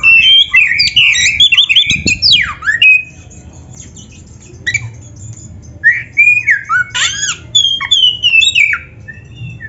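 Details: Oriental magpie-robin delivering energetic varied song, first a dense jumble of chattering whistles and a swooping note, then a quiet gap, then fresh runs of slurred whistles and sharp chips.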